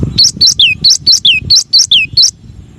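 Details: Masteran song of the cinereous tit, known locally as gelatik batu or gelatik wingko: nine loud, evenly spaced high notes, pairs of upswept chirps broken by downslurred whistles, with low thumping noise beneath.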